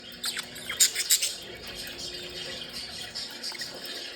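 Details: Budgerigars, described as happy and playing, giving a quiet high-pitched chatter of scratchy chirps and squawks, with louder clustered bursts near the start and a steady soft background hum.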